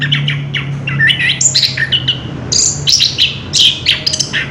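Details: Orange-headed thrush in continuous ngerol song, recorded 3 March 2016: bright chirps and twisting whistled notes tumbling one after another at high pitch, including a drawn-out piercing whistle, above a faint low hum.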